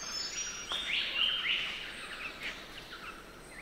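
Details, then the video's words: In Australian rainforest at Nightcap, a Spangled drongo gives strident, bright notes run together into a short scratchy phrase, loudest in the first half, then fading into faint chatter over constant high-pitched background hiss. "Spangled Drongo Calls - The sounds of a Spangled Drongo calling in Australia's rainforest."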